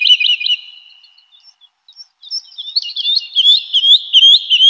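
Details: Spring forest woodlark: a phrase of rolling notes trails off into silence, then a new strophe begins with scattered notes building into a dense, liquid, warbling series of repeated falling-rising slurs.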